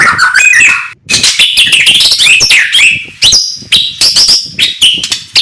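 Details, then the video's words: Oriental magpie-robin (murai batu) singing in the morning to stir up rivals: fast varied warbling of slurred whistles and sharp clicks, rising and falling in quick phrases with brief pauses. "kicauan murai batu pagi hari cocok buat naikan emosi lawan"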